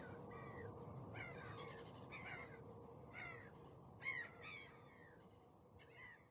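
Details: Osprey uttering scattered groups of whistled, downslurred notes about once a second, one louder burst near the middle, over a constant low rumble of background noise.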